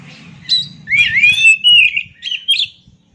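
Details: Sweet, fluid warbling from an oriental magpie-robin: a sharp opening note, then a long rolling phrase of slurred, swooping whistles and a few closing chirps, with low background murmur.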